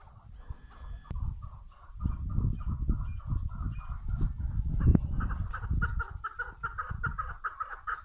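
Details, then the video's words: Female chukar partridge giving a steady string of short clucking notes that grows louder near the end. Strong low rumbling handling or wind noise and a sharp click midway. "صدای کبک ماده"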